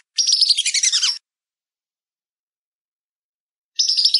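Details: Whistling duck giving one second of fast, high chattering whistles that fall at the end. A long silence follows, then another burst begins.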